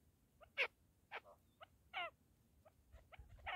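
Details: Partridge (keklik) calling: a few loud, short, harsh bursts with ringing bands at irregular intervals, mixed with fainter clipped notes over low background noise.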